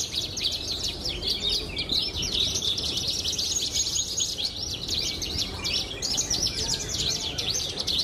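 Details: Competition Javan bush lark of the pied blorok form, a recent best-of-the-best winner, delivers a continuous stream of fast, high chirps and trills over a low background hum.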